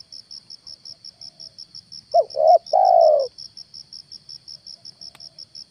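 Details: A single coo phrase from a spotted dove used as a decoy to draw down a wild dove at morning: two quick hollow notes, then a drawn-out lower coo. A constant high pulsing insect buzz sits in the background.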